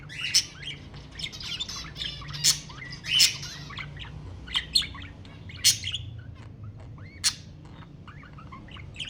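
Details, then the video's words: Budgerigar chatter meant to encourage breeding: a steady stream of buzzy chirps and clicks, punctuated by loud sharp squeaky notes roughly every second. "تحفيز البادجي على التزاوج حفز طيورك"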